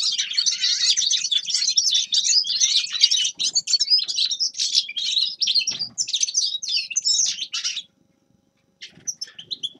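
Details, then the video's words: Grey-crowned goldfinch in song, pouring out dense high twittering phrases for about eight seconds, then a short silence and a few scattered chirps at the end. "Седоголовый щегол Carduelis caniceps певчая птица"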